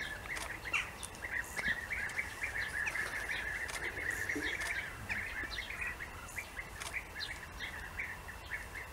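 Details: In Austria during the breeding season, several European bee-eaters give rolling, liquid 'prruip' notes, repeated several times a second and overlapping, over a soft background hiss.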